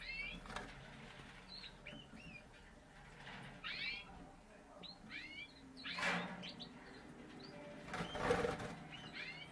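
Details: Frilled canary of the Parisian Frill breed. Quick, slurred chirps come in scattered groups, some stacked into short bursts, with two louder noisy rustles or thumps and a low constant hum behind them.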